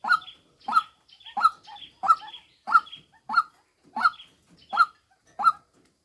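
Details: Decoy female white-breasted waterhen giving rapid hoarse 'kwok' notes mixed with softer quick chattering pieces between them, the series slightly irregular in rhythm.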